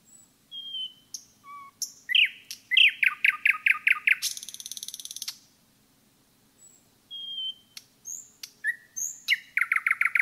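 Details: Common nightingale singing in the forest: short whistles and slurs, then a rapid series of loud repeated chirps, a harsh rattling burst, a brief pause, and new phrases of whistles and fast trills.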